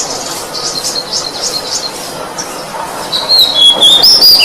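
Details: Kacer, the oriental magpie-robin, on a training recording for other songbirds: several seconds of rapid buzzy pulses, then loud clear whistled phrases at the end.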